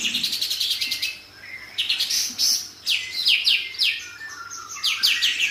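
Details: White-rumped shama song used as a master song for training, high bright whistled and trilled phrases, rapid repeated notes, then descending slurred sweeps, with faint background hiss.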